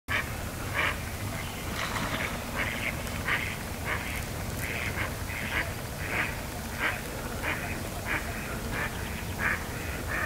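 A duck gives a steady series of short, nasal quacks, roughly one every second, over a constant low background rumble.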